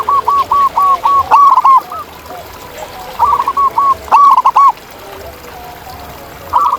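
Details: Local zebra doves calling in the wild: long trains of clipped, evenly spaced cooing notes, then a louder rolling phrase, with further doves answering faintly.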